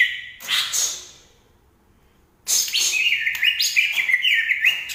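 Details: Banyuwangi green leafbird from Indonesia: a short burst of scratchy chirps, a silent pause, then a fast, steady stream of high whistled warbles and rapid chirping notes, about three per second, slightly irregular.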